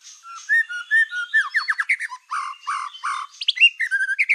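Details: Black-tailed white-rumped shama in full, energetic song meant to provoke other shamas into agitation: rich whistled phrases mixed with rapid downslurred notes and clipped chattering bursts, varied and continuous.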